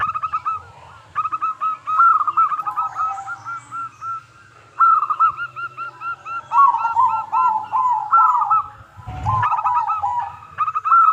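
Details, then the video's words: Local zebra dove song meant to make other doves answer: repeated bouts of ringing, rolling coos, some phrases layered over lower coos, with a short knock near the end. "Perkutut Lokal Gacor Suara Super Kristal - Pancingan"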